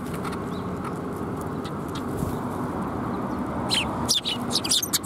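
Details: Sparrows coming for food at a Tenmangu shrine on 28 January 2021. Faint scattered chirps turn into a short cluster of louder, sharp twitters toward the end, over a steady low hum.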